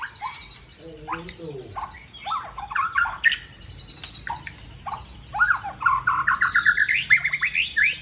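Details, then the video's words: Seven-year-old Aceh white-rumped shama from Tangse sings a rich, varied stream of whistled phrases, quick rising sweeps and sharp chips, with a steady high thin note running beneath and a brief lower rattling sequence early on. "Murai Aceh # Usia 7 Tahun Asal Tangse"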